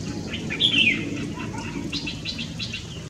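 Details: Red-whiskered bulbul, 3 March 2024: a loud quick whistled phrase early on, followed by softer chirpy notes against low rumbling background noise.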